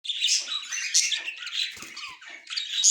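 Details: Two budgerigars, a white male and a yellow-green female, recorded October 30, 2024, giving dense, continuous high warbling chatter of scratchy chirps and squeaks with no pauses.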